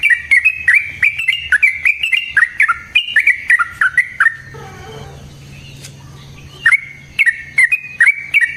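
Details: Sooty-headed bulbul delivering a long rapid song meant as a lure and training model: fast runs of sharp, slurred chirps with clicking accents, a four-second gap of near silence, then the chattering resumes.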